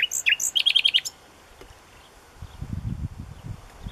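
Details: Common nightingale singing after its return: a quick burst of loud, clear whistled notes, then a rapid run of about five similar repeated pulses within one second, followed by a quiet gap and low rumbling background noise.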